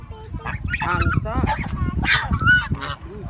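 Several geese honk in quick, overlapping bursts, harsh nasal calls tumbling over one another with a low rumble of background noise.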